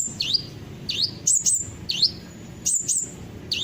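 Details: Kolibri ninja sunbird song used as a singing lure: thin, very high chirps paired with quick down-and-up whistled swoops, repeated in a lively, even pattern against a quiet background.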